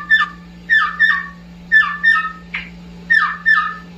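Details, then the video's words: Olive-winged Bulbul, a tame bird, giving short, bubbly whistled notes that slur downward, often in quick pairs, about once a second, over a steady low hum. "kicau burung cucak pantai"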